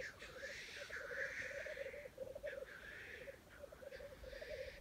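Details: Black grouse at a lek in Wales, early 2020, keep up a steady, low, dove-like bubbling roo-kooing, broken by harsh hissing sneezes that rise and fall between bursts.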